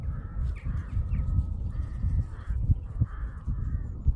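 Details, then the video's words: Crows from a murder calling in a steady run of raspy, drawn-out caws, about five in four seconds, each harsh and slightly falling, over a strong low rumble of wind. "SEE & HEAR FROM A MURDER OF CROWS!"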